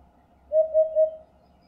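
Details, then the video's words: A Eurasian hoopoe gives three soft, low, hollow hoots in quick, even succession, 'oop-oop-oop', against a quiet background. "Odgłosy Dudka 🐦 dźwięki jakie wydaje Dudek"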